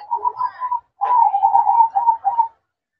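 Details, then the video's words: Zebra dove singing at night: mellow, rolling coo phrases near one pitch, a short phrase followed after a brief pause by a longer run of bubbling notes. "Suara Merdu Perkutut Manggung Di Malam Hari"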